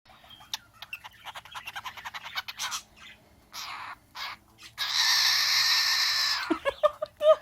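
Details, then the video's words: Pet bird almost a year old, kept indoors, imitating sounds its owner makes: a run of rapid clicks and short chirps, then a loud, harsh, sustained squawk and a few sharp rising whistles. "bird singing the Adams Family, making kissing sounds and going "ahh!""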